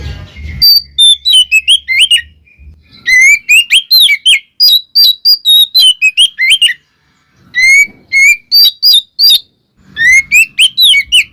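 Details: Oriental magpie-robin (kacer) song used as a lure to provoke other magpie-robins: loud, varied whistled phrases of sliding and rising notes delivered in rapid bursts with brief pauses, plus low rumbling noise at the start.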